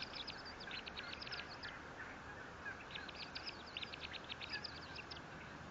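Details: Bald eagle at its nest 57 feet up at Fort St. Vrain, on a live nest camera, 18 April 2024: two bouts of rapid, high, staccato chattering notes repeated quickly, over steady broadband hiss.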